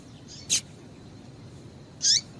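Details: Two short, high calls from a female Double-collared seedeater, used to prompt a male to sing: a sharp bright note, then a fuller chirp with a falling tail.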